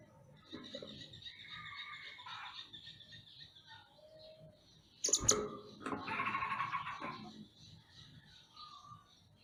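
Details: Mantenan gunung songbird singing vigorously, recorded as a master track for training caged songbirds: a varied run of thin high chirps and short whistled notes at shifting pitches, broken midway by a harsh loud burst, then a denser chattering phrase and a few closing whistles.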